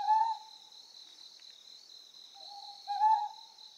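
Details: Ryukyu scops owl on Amami Oshima, Japan, giving short, mellow hoots: one clipped note, then a slurred two-part hoot about two and a half seconds later, over a steady high insect drone.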